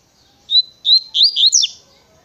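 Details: Short phrase from a double-collared seedeater, tui tui natureza style: a clear whistle followed by several quick rising and falling slurs ending in a sharp downward sweep, all high-pitched and loud.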